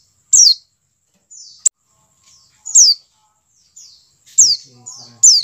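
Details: Pleci dakun white-eye call, played to get captive white-eyes to open their beaks and sing: sharp high chirps sliding steeply downward, about every second and a half, interleaved with softer, flat buzzy notes and a single click.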